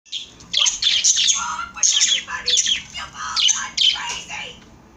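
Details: Several pet birds chirping indoors: dense bursts of high, sharp chirps and squeaky twitters in quick overlapping runs, pausing briefly between bursts, with some lower squawky notes mixed in.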